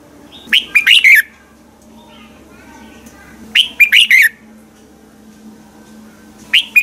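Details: Red-whiskered bulbul used as a morning training and decoy singer for other bulbuls. It gives a loud burst of four or five quick, slurred whistled notes, repeated about every three seconds, with a faint low hum underneath.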